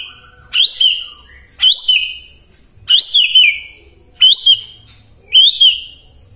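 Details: White-rumped shama song meant to provoke silent shamas at dawn, a bold upward-swooping whistle followed by a slurred drop, repeated five times about once a second.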